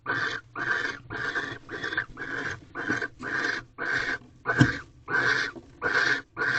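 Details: Barn owls mating at night in an owl box in a corral, 18 February 2023, 7:46 pm, after the male delivers a second mouse; rasping hiss-like bursts repeat about every two thirds of a second, with one sharp knock.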